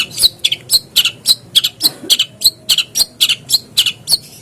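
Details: Long-tailed shrike, a lure recording to make a caged bird start singing: harsh, scratchy notes repeated about four times a second in a steady chattering series.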